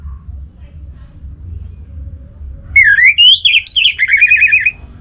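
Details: Orange-headed thrush in full song, played as a lure to make other thrushes sing loudly, North Bali: a loud whistled phrase that rises in steps, then breaks into rapid descending warbles, over a low steady hum.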